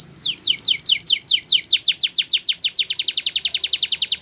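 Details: Belgian canary singing a training song for canaries, rapid repeated downward-sweeping high whistled notes about seven per second, speeding into a faster even trill in the second half.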